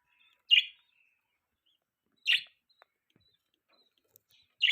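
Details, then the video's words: Pet budgies give three separate sharp, scratchy chirps spaced about two seconds apart, with quiet in between. "Budgies Parrots Chirping Sounds"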